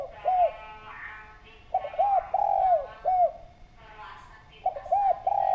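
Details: Spotted dove recorded as a lure to make others call: repeated phrases of quick hooked coos, a long falling coo and a short final note, with chirping small birds between phrases.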